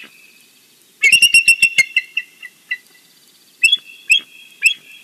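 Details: Wild bald eagle calling in the morning at its nest in the Big Bear valley, filmed by a live nest camera: a rapid burst of high, sharp piping notes for nearly two seconds, a pause, then three separate squealing notes.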